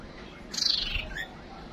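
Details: One female white-rumped shama call used to lure a male quickly to the decoy: a brief, bright, descending trill followed by a soft upslurred note, with background hiss.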